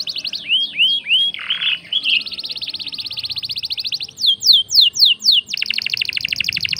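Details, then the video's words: Vigorous canary song meant to excite other birds into singing: curling whistled notes and a harsh burst, a long buzzy trill, a few loud descending sweeps, then another rapid trill. "SUARA KENARI GACOR||bikin emosi burung lain ikut gacor"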